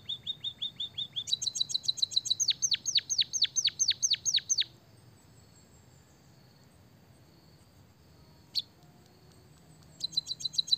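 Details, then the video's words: Lively white-headed munia song with canary-style phrases: a run of rapid, thin chirps speeds into a string of sharp, falling whistled notes. A long quiet gap follows, then one sharp click and another rapid chirping burst. "burung emprit kaji gacor isian suara kenari"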